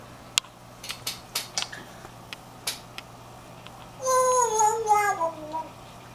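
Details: A pet African grey parrot, playing and vocalising, gives a drawn-out, falling, cat-like mew after a run of sharp clicks. Grey parrot.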